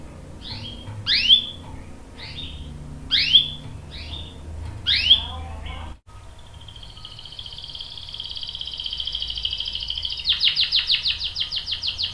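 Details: Canary calls used to coax another canary into song: a series of sharp upslurred whistles with short tails, a break, then a sustained thin note leading into a fast rolling trill.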